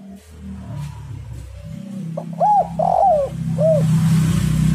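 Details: Spotted dove lure call meant to make doves sing: three arched, mellow coos, the middle one longer and sliding down, heard over a steady low rumble and hum.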